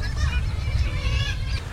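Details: Black-legged Kittiwakes calling together in a busy cliff colony at Cap Blanc-Nez, Pas-de-Calais, with nasal wailing cries overlapping without pause over a heavy low rumble of wind.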